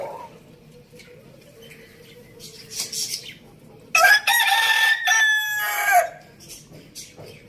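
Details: Low background chirps give way to a rooster's loud two-second crow in a farm village. The call is harsh and layered, holds steady, then drops at the close, with faint clucks afterwards.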